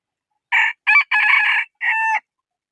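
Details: Loud crowing from a rooster in four parts. Two clipped opening syllables lead into a long grating note, and the crow finishes on a steadier tonal drawl, with silence before and after.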